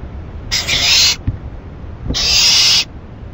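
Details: ['Rabbit delivered as food to an owl late on 28 May 2012: two rough hissing bursts about 1.5 seconds apart, with faint knocks between them.']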